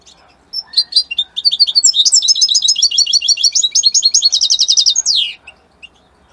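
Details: Italian-type European goldfinch song: a few opening chirps, then a long, dense rush of bright twittering and metallic trills lasting around four seconds, finishing with a slurred descending note and a couple of soft calls.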